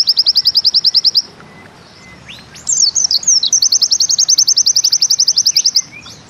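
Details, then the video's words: Bustomi pleci (white-eye) delivering 'nembak ziperrr' song: a quick high trill for over a second, then a quiet gap with scattered thin notes. Looping whistles follow and lead into a long, steady, rapid trill. "Bustomi NEmbak Ziperrr"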